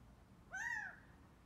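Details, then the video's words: A single strong call from a Gambel's quail on foot in Scottsdale, Arizona: a clear, harmonic note that swells upward then slides down, lasting under half a second against a quiet background. "Cute Gambel's Quail's walk & call"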